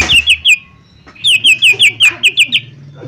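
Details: Lesser green leafbird lure song: a few sharp whistles, a short pause, then a rapid, even series of about ten clipped, slurred notes, loud and clear above faint low noise.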